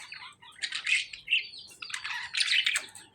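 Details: Lovebirds squabbling with budgerigars: two grating, buzzy squawk bursts, each of several rough notes, separated by a short gap.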